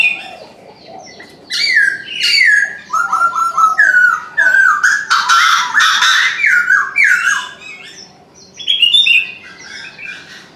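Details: A Chinese francolin calls in the morning with a long, loud sequence of harsh, jerky, stepped syllables, broken by a rough squawking burst midway. It fades, then calls again briefly near the end.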